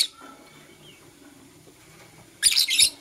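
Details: Lovebirds of blue opaline and euwing opaline colour, kissing in the morning; after near quiet, a dense burst of shrill, raspy chirps lasting about half a second.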